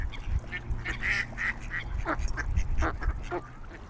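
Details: Swans on a lake in their natural habitat: a run of short, nasal, honking calls in quick, irregular succession, about three or four per second, fading after the first second, over a low rumbling background and softer calls from other waterbirds.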